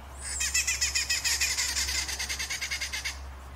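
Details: Rufous-naped wren, known locally as colchonero, during a duel between birds: a rapid series of harsh, buzzy chattering notes, about twenty pulses in three seconds, with a steady low hum underneath.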